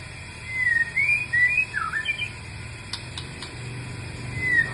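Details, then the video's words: White-rumped shama giving an unusual, rare-sounding call: a few clear, slurred whistles, some rising and one dipping, spread over two seconds, then a lone whistle near the end, over a low engine-like hum. "burung murai batu suara aneh dan langka"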